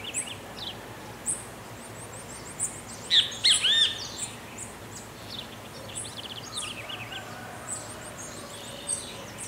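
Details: Great kiskadee (bem-te-vi) in rural Pirenópolis, Goiás state, Brazil, giving a brief burst of loud, slurred, piercing notes midway, surrounded by thin, high twittering from other small birds.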